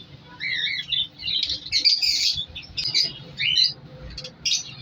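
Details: In a winter breeding colony of African lovebirds in colour mutations, harsh squawks and rising-falling shrieks come in separate bursts over a steady low background hum.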